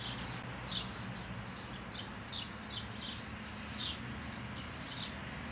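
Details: Eurasian tree sparrow at the spacious hole it has found for its nest, 12 May: short, bright chirps repeated in quick, uneven series over a steady low hum and background noise.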